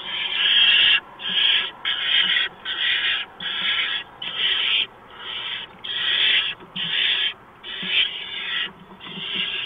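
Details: Barn owl at the nest as a mouse is brought in, 6 March 2015 at 4:26 AM; harsh, broadband hissing screeches of about half a second, repeated in an uneven series of roughly eleven bursts with short gaps.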